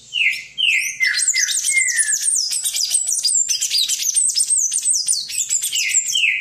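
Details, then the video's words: Song of a palm tanager opening with a few slurred, downward-sliding whistles, then breaking into a dense, hurried stream of thin, high squeaky notes that runs without pause to the end. "SANHAÇO-DO-COQUEIRO CANTANDO MUITO!"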